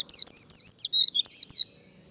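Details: White-eye líu contest song for training competition birds: seven or eight clear, high, wavy whistled notes in quick succession, then a faint sustained high tone.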